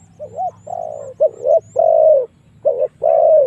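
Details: Spotted dove lure call, used to draw wild doves in to fight: a series of mellow, rounded coos, each phrase a short note followed by longer drawn-out hoots, repeated about six times with brief gaps; low steady hum underneath.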